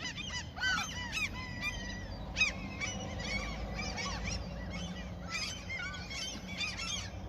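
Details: Many gulls calling while being fed by a person near a fishing spot in their territory: overlapping harsh, downslurred squawks and yelping cries, a dense chorus with low rumbling background noise.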